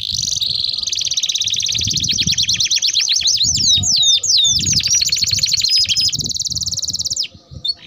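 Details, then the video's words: Lively canary with a long rolling song for luring and tutoring young canaries: an extended high trill of rapid repeated notes with swooping slurs mid-way, ending abruptly. "Kenari Gacor Ngerol Panjang Untuk Pancingan || Cocok Untuk Masteran Kenari Paud"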